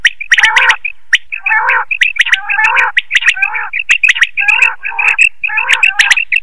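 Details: Quail voice used to draw quail into night nets: bright chirps repeated steadily, interleaved with lower, throaty, grating chatter.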